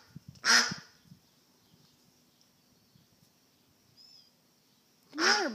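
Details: Duck that has become lost, letting out two loud, rasping quacks about five seconds apart, with a soft high chirp in the quiet gap between them.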